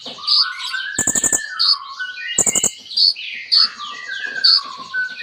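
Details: Kolibri ninja sunbird in rich full song with borrowed phrases. Piercing high chips mix with sliding whistles that drop from high to lower pitch, plus two quick clicking bursts.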